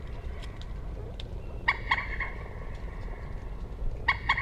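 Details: Common moorhen giving short, harsh, nasal bursts: three quick notes, then two more near the end, against a noisy low-pitched background with faint clicks.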